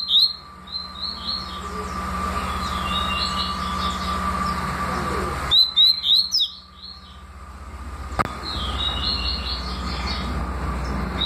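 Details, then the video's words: Double-collared seedeater performing tui tui and deputado style song: short high whistled phrases of quick chirps, repeated several times a second in groups, broken by brief pauses, over a persistent low hum and a single sharp click. "Papa capim tui tui canto e deputado canto"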